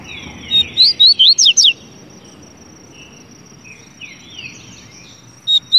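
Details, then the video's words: A double-collared seedeater gives a fast burst of sharp, twisting whistled notes, about six in a row, then a pause with soft notes and a final bright whistle, over a faint steady high hum. "Canto do Papa Capim"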